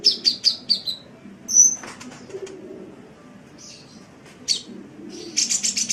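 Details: Sunbird song for bird training: a quick descending string of five thin, high notes, a single bright whistle, a gap with soft rustling, then a rapid buzzy burst of very high notes at the end.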